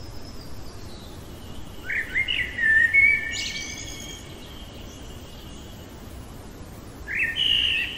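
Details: Night-singing common blackbird: a rich whistled phrase with a thin high twitter after it, then a long silence before the next fluting strophe begins, all over a quiet hiss.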